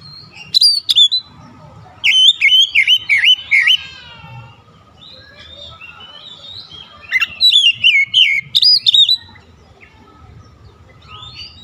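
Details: Oriental magpie-robin song meant to get a silent kacer singing again: two bursts of quick, clear whistles and slurred warbles, separated by a few seconds of near silence with faint low background hum.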